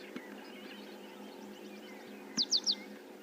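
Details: An African pied wagtail calls while running along the edge of a water hole on a morning safari drive, giving three quick, high, sharp downslurred notes over faint bird chatter and a low hum.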